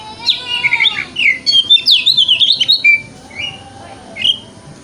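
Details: Kacer, the Oriental magpie-robin, in 'wikplong' style lure song meant for morning therapy so it spreads its tail: a burst of fast clipped notes and buzzy sweeps, then a few separate whistles, over a low steady hum.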